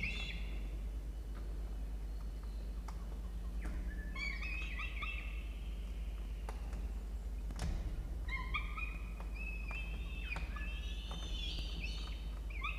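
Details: Peregrine falcon nestling in a university nest box at Orange, New South Wales, Australia, while an adult feeds it: scattered high, harmonic wailing cries in several bursts, with taps and thumps from the nest box.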